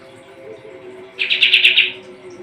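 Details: Brief burst from a Sooty-headed bulbul (kapas tembak), recorded as training song for competition birds: about five quick, bright, clipped notes in under a second, with a faint low hum behind.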